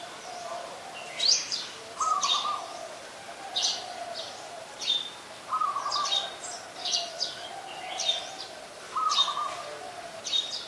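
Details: Streak-eared Bulbul recorded 2 January 2021 at Ubon Ratchathani, Thailand, where it is a very common resident: rapid series of sharp, clipped high chirps in bursts, interleaved every few seconds with a brief lower piping whistle, over a low steady hum.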